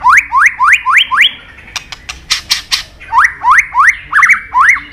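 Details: White-rumped shama training song: a string of rising whistled upslurs repeated four to five times a second, a pause with loud clicks, then more quick rising whistles.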